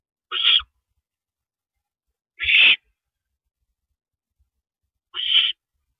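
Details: Nesting owl pair at 3:52 AM, 7 May 2012, as a rabbit is brought to the porch nest: three rasping, breathy screeches spaced about two seconds apart, with silence between them.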